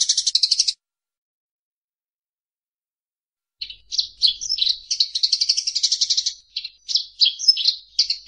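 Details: Eurasian tree sparrow fight calls: a short buzzy rattle, a long silence, then an excited jumble of squeaky chirps and quick chattering runs.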